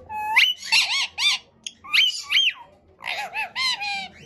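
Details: Pet ring-necked parakeet talking like a human, delivering bursts of strongly harmonic, wavering speech-like syllables in three groups separated by short pauses, with faint music underneath.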